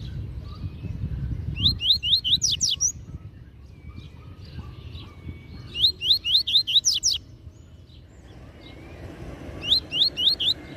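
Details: Tui Tui Zel Zel song from a master double-collared seedeater, used to tutor young birds: three separate phrases of five to eight rapid rising whistles, spaced about four seconds apart, with faint chatter between.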